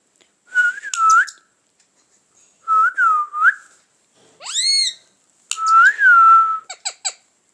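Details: Pet parrot, kept indoors, giving loud whistled notes: drawn-out rising and falling whistles in separate bursts, one sharply rising sweep, and short quick chirps at the end.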